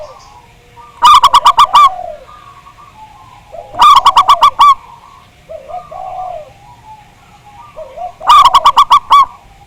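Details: Local zebra dove from Java, heard on a recording for triggering song, loud and full-voiced: three bursts of six or seven quick, ringing coo notes about every three and a half seconds, with soft cooing from other doves between.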